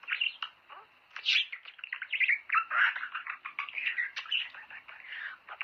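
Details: Budgerigars singing, played to stimulate pet birds to mate. A continuous fast chattering warble of scratchy clicks, chirps and short whistled notes, with no pauses.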